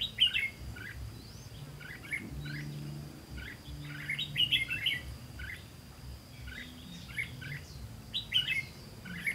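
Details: Red-whiskered bulbul recorded while trapping on 18 September 2016, singing bursts of bright whistled and warbled notes in clusters every second or so, with louder phrases near the start and middle, over faint low noise.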